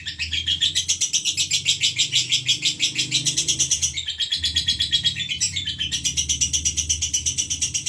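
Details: Fighter-style female lovebird calling without pause: harsh, piercing notes pulse about twice a second in a dense, steady stream, broken only by a brief dip near the middle, over a low background hum.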